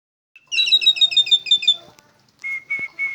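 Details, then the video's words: Asian pied starling, a bird said to imitate coughing: a quick run of about eight bright, whistled double notes, a short pause, then three even, steady whistles. "Jalak suren bisa batuk"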